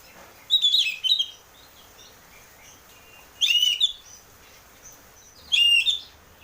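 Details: Oriental magpie-robin, a cage bird, singing to prompt another to sing: three bursts of high chirping, twittering phrases separated by quiet gaps, steady background hiss.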